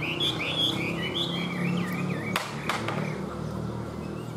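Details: Chinese hwamei in a cage gives a string of bright looping whistles that fade midway, followed by a few sharp knocks and clicks against a steady low hum.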